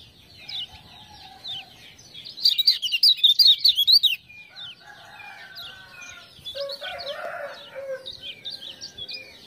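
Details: Lemon-bellied white-eye (kecial kuning) from Lombok, a captive bird used as a tutor for other birds, singing in reply to ciak-ciak sounds. It gives a rapid run of high, twisting, warbled notes. Lower whistles and chatter from other birds follow.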